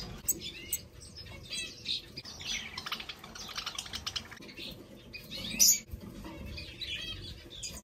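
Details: Many finches of various kinds (goldfinches, owl finches, parrotfinches, twinspots, cordon-bleus), kept with budgies in an indoor aviary, chatter with quick, high chirps and tweets overlapping one another.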